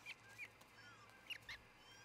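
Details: Osprey at its nest in Charlo, Montana, early morning of 26 June 2018: short, shrill chirps in two pairs, bright and slightly downslurred, separated by a brief pause, over a low hum.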